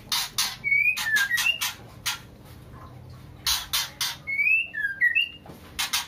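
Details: A female white-rumped shama, in breeding condition, calls a male with loud rasping bursts in short runs, each followed by a quick phrase of three slurred whistled notes.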